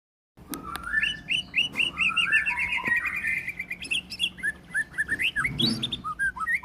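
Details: Caged White-rumped shama, a contest-trained bird, singing a long run of clear whistled notes that slide up and down, many short fluty phrases in quick succession, mostly between mid and high pitch, with faint background hum.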